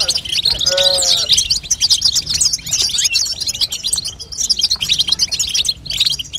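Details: Female European goldfinch babtaba for encouraging a young goldfinch to sing, heard as busy, high twittering; near the start a brief lower, wavering tonal squeak cuts in before the chatter carries on.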